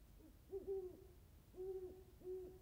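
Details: Great Horned Owl in California grassland and high-desert country giving deep, soft hoots close by, three low notes spaced under a second apart over a quiet background.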